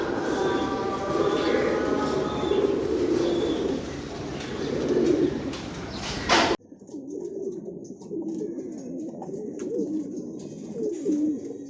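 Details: Siraji fancy pigeon, a domestic pigeon breed: a noisy first half with faint low notes, then clearer low, wavering coos after a sudden cut to a quieter room.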